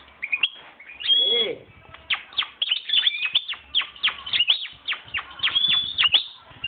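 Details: A hand-reared European goldfinch from 2011, reportedly coming into breeding condition, sings a rapid, tinkling run of high chirps and liquid twitters, with a brief lower buzzy note near the start.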